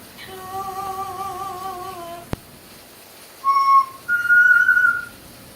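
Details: Pet parrot singing "God Bless America" in a wavering, hummed voice, then adding two clear, held whistled notes, the second higher, with a single sharp click between.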